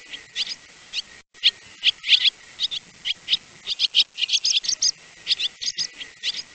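Swallows twitter in quick, irregular bursts of high, thin chirps and short slurred notes, several each second, with nothing else heard.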